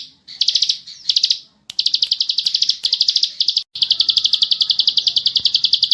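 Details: Bar-winged prinia, ngebren song for tutoring: short opening phrases of fast chips, then longer continuous runs of quick, evenly pulsed high notes, with a couple of abrupt breaks.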